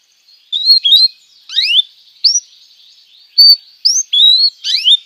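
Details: Canary song used as tutor material for young canaries: separate bright, upward-sweeping chirps and short slurred notes at high pitch, spaced by brief pauses, with a faint steady high tone between phrases.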